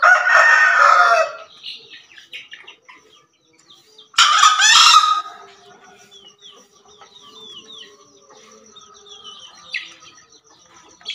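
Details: A male green junglefowl of Java crows harshly at the start and again about four seconds later, each burst about a second long, followed by light twittering of other birds.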